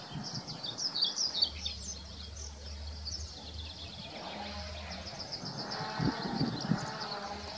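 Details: Male European pied flycatchers singing in front of a nest box in Halver, NRW, Germany, on 29 May 2021: thin, high, chirping phrases in short bursts over a steady low buzz and hum.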